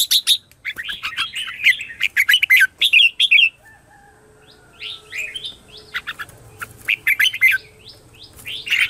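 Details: Red-whiskered bulbul morning song used as a lure to call wild birds: fast bursts of bright warbled and whistled notes, some rising and falling, in dense phrases for about three seconds, then a quieter pause and further scattered phrases.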